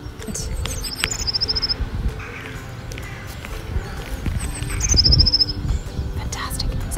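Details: Eurasian blue tit song in spring, given twice: a couple of thin, very high notes leading into a quick, silvery trill, over a low background rumble and faint murmur.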